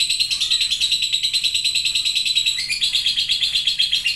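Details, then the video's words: Lovebird in long 'ngekek' chattering: a rapid, continuous high-pitched churring trill pulsing about twice a second, with a brief pitch step midway, no other sounds. "LOVEBIRD NGETIK LANJUT NGEKEK PANJANG"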